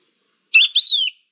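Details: A Thekla's lark, nicknamed "La Diva", recorded on 5 February 2022, gives a brief song fragment: a short twittered note, then a clear whistle that rises and slowly slides down, in quiet surroundings.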